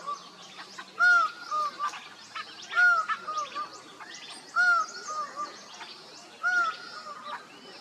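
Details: Laughing falcon calling others in Costa Rica: four evenly spaced phrases, each a strong arched note followed by two softer falling ones, with high chirps from other birds scattered throughout.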